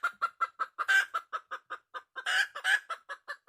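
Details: Quick, regular clucks from a wild red junglefowl hen, with one harsh cackle early on and two louder, broad, scratchy outbursts close together later.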